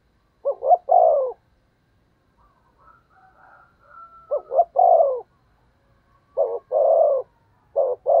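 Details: Decoy spotted dove giving strong cooing meant to draw in wild doves: four phrases, each a quick double note then a drawn-out mellow coo, spaced several seconds apart, with faint thin sounds between.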